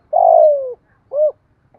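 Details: Closing part of a Spotted dove's thổ-style coo, meant to set other doves cooing: a long, steadily falling coo followed after a pause by a short rounded coo.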